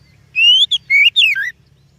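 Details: Kacer (oriental magpie-robin) lure song. A brief phrase of four clear whistles: a long rising note, a short blip, then two notes that slide downward. Faint low hum in the background.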